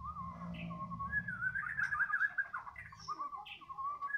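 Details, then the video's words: A female Orange-headed thrush that has just arrived gives a soft, continuous run of mellow whistled and warbled notes, with a faint low hum behind. "anis kembang betina"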